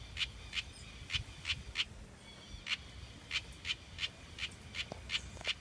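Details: A House Wren chick, hatched in a backyard in Brazil, gives short, high, scratchy notes about three per second, pausing briefly midway, over a low background rumble.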